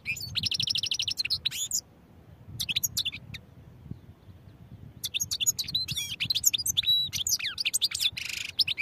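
A European goldfinch sings a bright, rapid tinkling medley of twitters, trills and buzzy notes, with a brief pause between bursts; faint low background hum.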